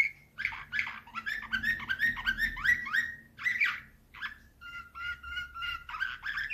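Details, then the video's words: Canary singing in the Slavujar nightingale manner, 2024: quick warbling trills and upward slurred notes, then a sustained series of pure steady whistled pulses, with a faint low hum underneath. "Uccello dell'usignolo delle Canarie Slavujar"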